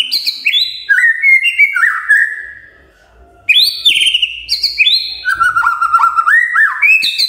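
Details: Magpie-robin singing in the morning so that quiet magpie-robins join in, stepped descending whistled phrases, a pause, then a rapid varied run ending in lower sliding whistles.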